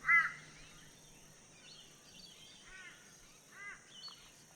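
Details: A Sahul Brush Cuckoo calling persistently at Hinterland Regional Park, Mudgeeraba, Gold Coast, Australia, gives one loud, mournful whistled note, then two softer ones about a second apart, over a steady high insect hiss.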